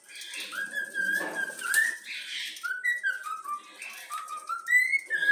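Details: Young yellow-cheeked cockatiel whistling the Flamengo anthem, a descending series of short whistled notes, partly masked by broad hissing and rustling noise.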